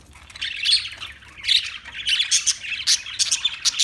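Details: Parakeet squawks and chirps, harsh high notes in short uneven clusters, growing quicker and sharper toward the end.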